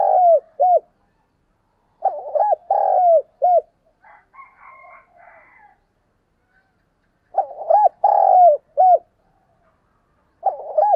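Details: Spotted dove kept as a decoy, calling to lure wild doves; loud, mellow cooing phrases of several short rounded hoots with a longer swelling note, given in bursts about five seconds apart, with faint chirps from other birds between.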